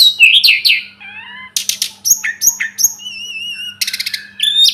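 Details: Sunda robin, tledekan gunung or sulingan gunung, singing for masteran: a varied mix of swooping whistles, rattling bursts and a long wavering, quavering high whistle, delivered almost without pause over a low hum.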